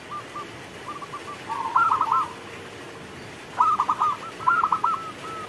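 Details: Zebra dove, local bird, cooing as rain comes down: faint soft coos at first, then a louder rolling burst and two more trilled phrases later, with constant rain noise behind.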